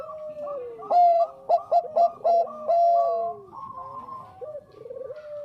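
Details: Lure recording of a Bangkok zebra dove singing briskly: a falling slur, then four or five sharp clipped coos and a long held note, followed by bubbling, rolling phrases from several doves.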